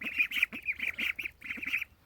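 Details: Pet ducks in a pea-gravel pen on a family farm, seemingly wary of the camera, give short nasal calls in rapid series, roughly eight in two seconds, each call clipped and evenly spaced.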